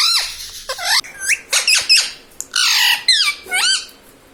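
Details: Household parrot mimicking words such as "mummy" and "papa": a rapid run of shrill, warbling syllables with sudden upward and downward bends, mixed with harsh squawky bursts and brief gaps, in a small room.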